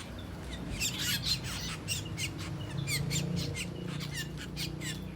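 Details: Asian glossy starlings feasting on ripe papaya: a busy chatter of short, sharp, high chips and squeaks from several birds, rapid and irregular, over a steady low rumble.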